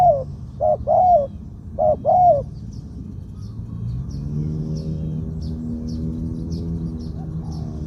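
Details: Spotted dove singing a two-'kuk', 'koo-ang' phrase in a medium voice, a bird suited for decoy use on the ground. Two soft, paired coo phrases open the recording, then a low engine rumble and distant high chirps take over.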